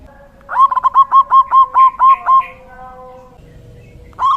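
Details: Male local zebra dove, a strong caller used as a decoy and master song to lure other zebra doves and stir quiet caged birds. It gives a rapid rolling series of about nine soft bubbling coos, then falls silent before a new coo begins.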